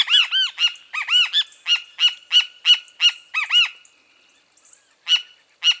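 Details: Bem-te-vi, the great kiskadee, in a rapid, insistent stream of harsh, ringing notes, roughly three per second, with arched downslurred calls among them. After a brief silence, two more isolated sharp notes sound.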